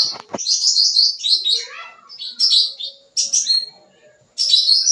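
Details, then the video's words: Sooty-headed bulbul in lively full-isian song, meant to draw in young birds: a sharp click, then a run of high warbled notes, a falling phrase, a short buzzy burst and a final bright trill after a pause. "Suara Cucak Ranting Gacor Full Isian, Cocok Buat Pancingan Burung Bahan"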